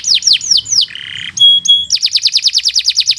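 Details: Canary in a fast tutor song for training other birds: downward-sweeping whistles, a low buzzy note, two pure held whistles, then a quick run of repeated falling sweeps about eight per second.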